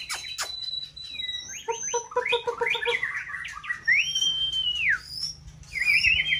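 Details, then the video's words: Caged White-rumped shama, in its prime season, singing to rouse another bird. A stuttered series of lower buzzy notes leads into a long, arched whistle that rises, holds steady and falls, followed by a wavering high phrase. "Kích chòe lửa bông hót đa diện"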